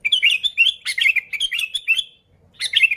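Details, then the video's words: Lure recording of a sooty-headed bulbul singing: a rapid run of chattering, slurred whistled notes for two seconds, a brief pause, then another burst of bubbly warbles. "Suara Burung Kutilang Gacor ASLI Tanpa isian, Ampuh untuk Pikat Kutilang bikin kutilang Ribut gacor"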